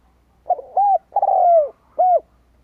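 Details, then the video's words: Vietnamese decoy spotted dove kept to lure wild birds: one cooing phrase of a short rough note, a hooting coo, a long drawn, slightly falling husky coo and a final short coo. "Cu gáy kích lửa bổi cực nhạy"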